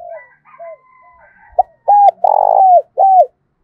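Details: Spotted dove decoy bird with a "thổ" voice, cooing to provoke other doves into cooing. Soft low hooting notes lead into three loud, mid-pitched, hollow coos, the middle one longest, with faint thin whistles early on.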